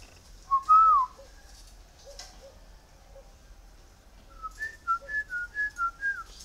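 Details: Bird trapped on Ba Vì mountain and tamed to take feed, locally called khiếu đất or mi đất, gives a loud slurred whistle, then after a pause a series of short clear whistled notes alternating slightly in pitch.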